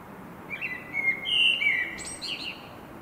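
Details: Common blackbird singing: a mellow, fluted whistled phrase sliding and wavering, ending in a thin, higher twittering flourish, over steady low background noise.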